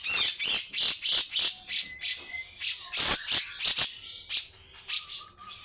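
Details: Grey-cheeked bulbul rasping roughly in long besetan bursts, about three a second, with steady high whistled tones threaded between the notes.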